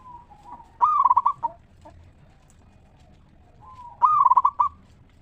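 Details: Zebra dove of a local strain singing its 'ngeristal' lure song, meant to make other zebra doves answer. Two bright, rolling, trilled coo bursts about three seconds apart, each preceded by a soft low coo.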